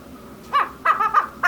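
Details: Female chukar giving a short burst of three or four hoarse, clucking notes in quick succession after a brief quiet pause.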